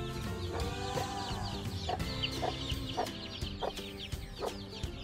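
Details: Mother hen guarding week-old free-ranging chicks while they feed on a farm in Sialkot, Pakistan; soft low clucks repeat about once a second amid high, falling chick cheeps, over background music.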